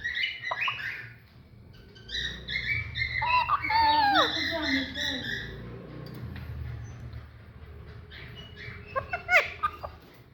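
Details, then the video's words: Alexandrine parakeet vocalising: harsh squawk-like syllables, then a loud run of stacked, buzzy talking phrases with falling slurs, fading to quieter murmurs before a brief sharp chirp near the end. "Alexandrine Parrot Talking"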